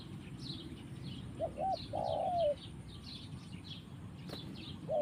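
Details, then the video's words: Spotted dove (tekukur) in the forest giving two short low coos, then a longer drawn-out coo that falls at its end, and another coo starting as it ends; small birds chirp high and steadily throughout. "Mantap Tekukur in the forest"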